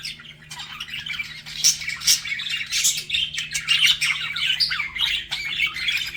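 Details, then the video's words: Pet budgies chatter while flirting, an unbroken high warbling of squeaks, clicks and short whistled notes, with a few sharper chirps standing out. "BUDGIES FLIRTING"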